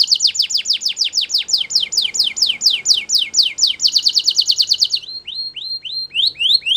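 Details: Belgian canary singing to train young canaries: a long chain of quick downward sweeps and a rolling trill, then slower rising whistled notes toward the end.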